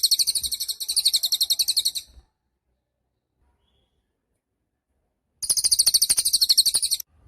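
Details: Gacor cililin song meant as master material for caged songbirds: two-second runs of rapid, shrill, evenly pulsed high trill, a silent pause, then another similar run.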